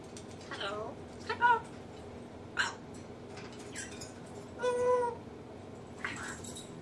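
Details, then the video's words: Male pet African grey parrot kept at home, known for copying sneezes, laughter, burping and nose blowing; scattered short voice-like squawks and a clear tonal note, with background chatter and quiet gaps between sounds. "African Grey Parrot talking sneezing blowing nose"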